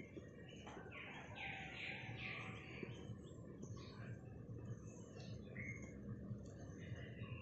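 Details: Munia chirping in the morning: a burst of short, bright, high chirps clustered in the first few seconds, then scattered thin notes, over a steady low rumble of background noise.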